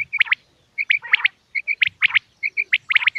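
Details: Common quail used by hunters in Pakistan to draw in quail: brisk groups of two to three sharp high notes, repeated about every 0.8 seconds, over a faint low hum.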